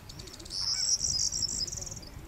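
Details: A corn bunting at Fuente de Piedra, Spain, in April 2011 gives a short, high, dry jangle: a few quick ticks running into a glassy, jingling rattle lasting about a second and a half, over faint background rumble.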